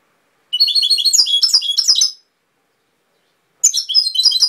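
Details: European goldfinch in Cobia Málaga song: a burst of sparkling, rapid twittering for about one and a half seconds, a pause of over a second, then a second lively phrase of jingling notes.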